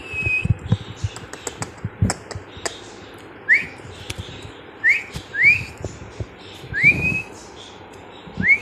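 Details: Baby budgerigars (Melopsittacus undulatus) give short, bright chirps that sweep upward, repeated at uneven intervals amid soft clicks.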